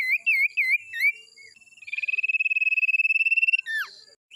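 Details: Lure sound of a male sirtu: looping wavy whistled notes repeated several times, then a long steady pulsed trill, ending in a sharp downward-sliding whistle.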